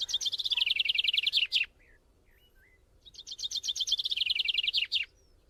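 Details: Young white-eye eating greedily while being fed: two rapid bursts of high, buzzy repeated chips, each run about one and a half seconds long and ending in a sharp falling note, with a brief pause between.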